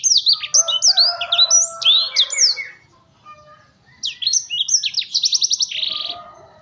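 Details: Blackthroat, the black-throated canary, singing in agitation: a rapid cascade of high slurred whistles, a brief pause, then a second phrase ending in a fast, even rattle of sharp notes.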